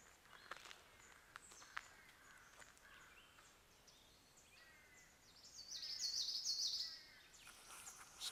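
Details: A Common Yellowthroat sings a quick, high, rolling "witchety-witch" phrase of repeated notes, with an Eastern Towhee also singing nearby, a man talking quietly and other birds calling earlier.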